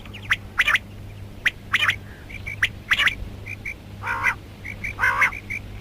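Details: Female rain quail calling: short sharp squawks, pairs of rasping notes and a few soft, thin, whistled pips in between, ending with two fuller nasal bursts, over a low hum; karkari mix.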